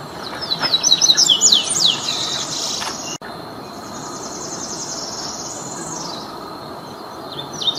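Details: Free-living double-collared seedeater, one of five in nature: a fast sequence of high slurred notes at the start, then a sudden cut to a softer, buzzy, rising-and-falling high sound with steady background noise.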